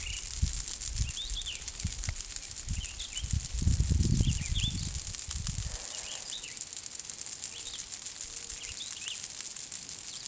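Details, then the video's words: A rare red-eyed vireo in a small woodland clearing in Cache County, Utah, its melodic call echoing through the trees: short whistled phrases about once a second over a steady high insect hiss, with low handling rumble early on. "But then we arrived in a small clearing and heard the melodic call of the vireo echoing through the trees."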